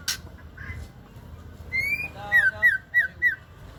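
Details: Female Aceh white-rumped shama giving a short song: a long, clear, slightly rising whistle followed by four quick downslurred whistled notes, evenly spaced, after a soft click at the start.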